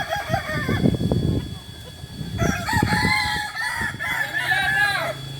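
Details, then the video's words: Kokok Balenggek chickens at a joint training session in Ampang Kualo, Solok, West Sumatra: low rumbling handling noise first, then a long crow of stepped, repeated syllables from halfway on, with a faint hum underneath. "Ayam kukuak balenggek"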